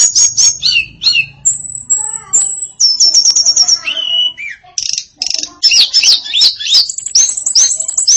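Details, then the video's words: Female hill blue flycatcher, called tledekan locally, delivers a varied song of very high thin whistles, rapid twittering runs, descending slurs and sharp chirps, in a steady flow. "Kicau Memukau Tledekan Betina Yang Bersuara Variatif"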